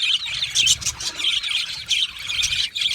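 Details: Colony of budgies chirping while happy and comfortable; busy high-pitched warbling and squeaky chirps from several birds at once, rapid sharp ticks scattered through, steady without pauses.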